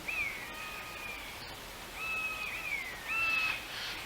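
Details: Common buzzards calling from woodland on the outskirts of East Kilbride, Scotland, in August 2022. Long, drawn-out mewing whistles fall slightly in pitch, about three in four seconds, over a quiet rural background.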